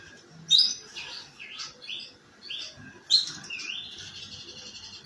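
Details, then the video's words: Canary giving a rough chattering song, used as a lure to prompt other canaries to sing: scattered high, sharp chirps and short trilled bursts separated by brief pauses. "kenari ngeriwik kasar buat pancingan"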